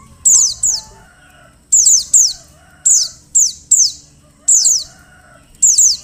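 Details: Calls of a female Oriental white-eye meant to make males sing: high, thin descending chirps, mostly in doubled bursts about every second, with a soft tonal murmur in the background.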